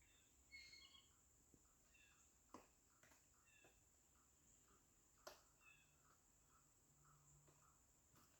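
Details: Pileated woodpecker (Dryocopus pileatus) in New York pecking at a tree: a few sharp, irregular knocks seconds apart, with soft small-bird chirps and a steady high insect-like whine throughout.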